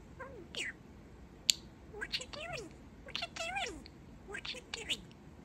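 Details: Pet budgie, a young male, chattering his cute new phrases: short, squeaky, speech-like syllables with sliding pitch, separated by brief gaps and ending in a descending note.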